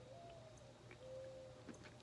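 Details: A Mourning Dove gives soft, low, hollow cooing, two drawn-out notes, faint and distant in the background, over a steady indoor hum, in July.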